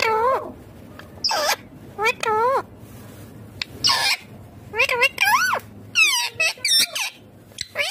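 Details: Indian ringneck parakeet, a green parrot, talking: clear chattering phrases of sliding, wavering notes that rise and fall, with short sharp squawks between them and a faint low hum behind.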